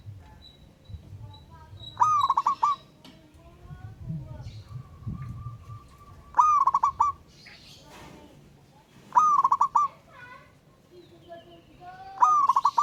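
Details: Wild local zebra dove calling a rival, singing steadily: four clipped, pulsed coo phrases at irregular three-second intervals, each starting with a rising note, amid scattered thin whistles and chirps of other birds.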